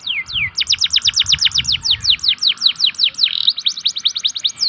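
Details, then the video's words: Local canary lure song for canaries slow to sing. After two opening sweeps comes a long, rapid trill of short downslurred notes, a brief buzzy break, and then more fast sweeps. "pancingan kenari lokal untuk kenari malas bunyi"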